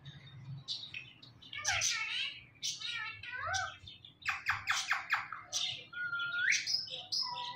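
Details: Indian ringneck parakeet talking, repeating "Mitthu": bursts of harsh squawks and rapidly modulated, voice-like harmonic syllables, some rising and falling, with a short upward-sweeping note near the end, indoors.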